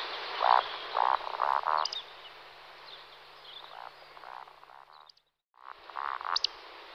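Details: Roding display flight of two male Eurasian woodcocks: four deep, croaking grunts about half a second apart, then a sharp high squeak, softer grunts, a brief gap, and more grunts capped by another shrill squeak.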